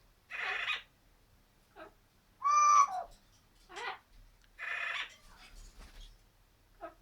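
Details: Pet Amazon parrot indoors giving harsh, raspy squawks in four loud bursts with short softer notes between, irregularly spaced over several seconds; quiet room.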